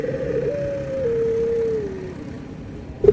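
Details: Barbary dove cooing, one of a set comparing white and brown doves: a single long, smooth, level coo that slowly slides lower and fades, followed by a brief louder note at the end.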